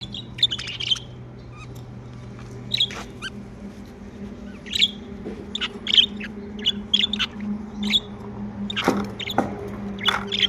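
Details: Pet budgerigars, described as happy, giving short sharp chirps and squeaky notes scattered irregularly, some in quick pairs, over a steady low hum from a household appliance.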